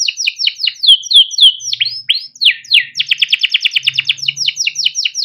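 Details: Male canary in captivity delivering a ngerol-style training song: a string of falling whistled chirps, a few sweeping slurs, then a fast even trill and more descending chirps.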